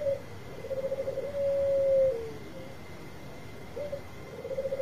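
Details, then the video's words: Bangkok zebra dove singing loudly, used to lure other doves into answering: soft rapid trilling coo swelling into a long smooth note that drops at the end, then a short coo and another trill, over a hissy background. "Perkutut Bangkok Gacor Suara Besar Tepat Buat Pancingan Cepat Nyaut"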